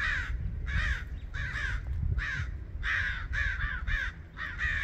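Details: Several crows mob a female red-shouldered hawk until she leaves, giving harsh, rasping caws in quick overlapping bursts, about eight in five seconds, over a low rumble of wind.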